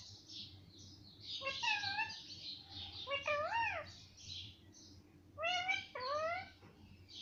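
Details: Pet parrot repeating mummy and papa in voice-like phrases, its syllables sliding upward and then down, with a soft background hum.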